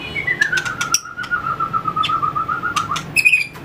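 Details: White-rumped shama in training for fighting song, tail-flicking and hopping on its perch: a long, sustained whistle sliding slowly downward from high to mid pitch, with sharp clicks scattered throughout and a rising whistled note at the end.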